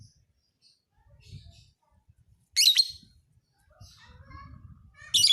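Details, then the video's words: Lovebird of the fighter type, used as a master recording for teaching other birds: two harsh, high chattering bursts about two and a half seconds apart over faint twitters and a low background murmur. "MASTERAN KICAU BURUNG LOVEBIRD FIGHTER"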